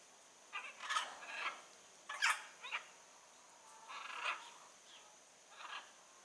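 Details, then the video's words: A free-living blue-and-yellow macaw utters harsh croaking squawks, some doubled, about six bursts across six seconds against a quiet background. "Arara Canindé na natureza"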